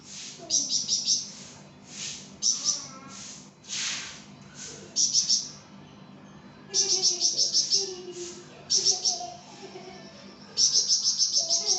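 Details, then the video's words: Flamboyan bird in steady song for tutoring cage birds: clusters of sharp high chirps repeated every second or two, some fast trilled runs, with faint low chatter between phrases. "𝗯𝘂𝗿𝘂𝗻𝗴 𝗳𝗹𝗮𝗺𝗯𝗼𝘆𝗮𝗻 | 𝗳𝗹𝗮𝗺𝗯𝗼𝘆𝗮𝗻 𝗴𝗮𝗰𝗼𝗿 | masteran flamboyan"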